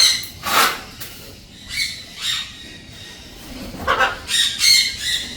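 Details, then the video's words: Pet Blue-and-yellow macaw gives harsh, raspy squawks in short bursts, about six calls over five seconds with gaps between them. "Hobby bird pet || Blue and Gold Macaw"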